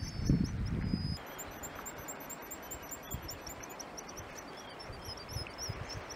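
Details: Black guillemots in Iceland, filmed in June 2022: thin, high whistled peeps repeated rapidly in a steady series, with a gust of low wind rumble at the start.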